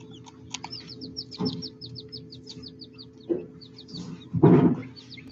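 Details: Baby quail hatched only hours earlier, peeping: rapid series of thin, high, sharp peeps, some in quick runs, over low hum and several dull thumps.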